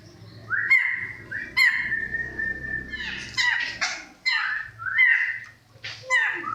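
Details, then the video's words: Kriko Gayo from Central Aceh, a rare bird, repeats upslurred whistled notes mixed with rough, scratchy bursts at irregular intervals, with a low hum underneath. "Suara Kicau "Burung Kriko Gayo" Burung Langka dari Aceh Tengah | Suaranya Panjang Gacor"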